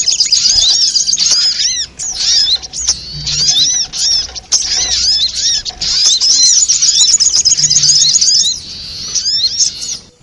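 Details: Sogok ontong, a sunbird, in a trapping lure recording: almost unbroken shrill twittering, many quick down-slurred whistles and ticks, the bursts running together over ten seconds.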